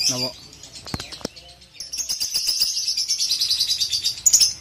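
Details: Lovebird, ngekek-style song used as training audio for young birds: a long rapid chattering trill of high, evenly pulsed notes rising to a fast run, after a few sharp clicks and short chirps.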